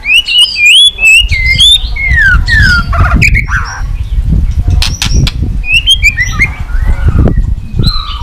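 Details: White-rumped shama stimulated to sing with tail-beating. Whistled, slurred phrases and sharp upward notes over heavy low rumbling noise and loud clicks.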